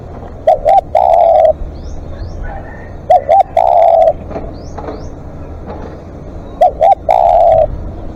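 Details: Live decoy spotted dove calling at length, three phrases of two clipped coo notes followed by one long sustained coo, repeating roughly every three seconds over faint rumbling and scattered clicks.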